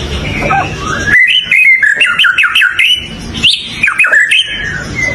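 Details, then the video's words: White-rumped shama song: loud, varied whistled phrases rising and falling, mixed with rapid clicking notes, over steady background noise. "เสียงนกกางเขนดง ร้องดีสุดๆ"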